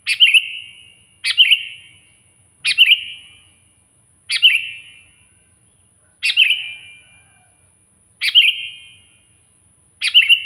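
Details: Sooty-headed bulbul calling loudly toward a rival: sharp, bright, clipped notes repeated steadily about every one and a half to two seconds, seven in a row, each with a brief echo.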